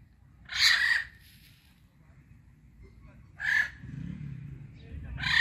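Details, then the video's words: Indian ringneck parakeet kept as a talking pet screeches loudly three times, harsh squawks about every two to three seconds, with low rumbling background noise between them. "My Non Stop Talking Ringneck Parrot"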